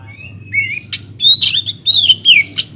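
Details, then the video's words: Oriental magpie-robin in an aviary, singing strongly to lure other birds into song: a rising whistle followed by loud, harsh, scratchy notes and bright descending slurs in quick succession. "BURUNG KACER GACOR DIDALAM UMBARAN"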